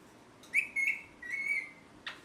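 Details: Pet rose-ringed parakeet whistling indoors: a sharp rising note leading into a long, level whistle with a brief break, then a second drawn-out whistle, ending in a short harsh chirp over a low background hiss.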